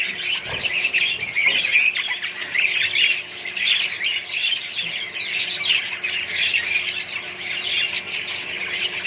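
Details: Mixed aviary colony of Australian budgies and other birds; constant busy squawking and chirruping from many birds together, a few sharper squeaks standing out over the din.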